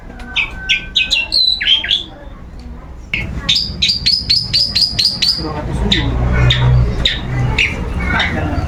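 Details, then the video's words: Long-tailed shrike, set out in the sun as routine, singing ngeplong without pause: a jumble of high chirps, then a fast, even string of about ten sharp notes, with a low rumbling background. "Rutin Di jemur Burung Cendet ngeplong⁉️Gak mau Diam"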